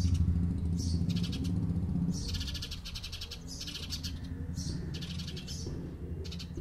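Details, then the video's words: House sparrow voices chirping in dense, rapid clusters of piercing notes, starting sparsely then becoming more continuous, over a loud droning low background. "Conversation!!! House of commons 😂😂😂 House Sparrow!!!"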